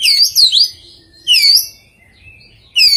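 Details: Oriental magpie-robin singing an unusual song with rare mimicked phrases: bright high whistled notes in looping, sliding phrases, a pause with a soft thin whistle, then another burst, with no other clear sounds.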